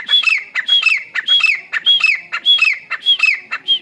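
Grey francolin giving loud, harsh, squawking notes in rapid repeated bursts, about two per second, high-pitched and ringing.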